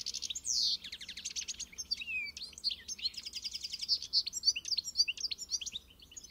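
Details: European goldfinch, encarte-style song: a sweeping descending whistle, then rapid, buzzy, rattling trills and bright twittering notes, strung together almost without pause.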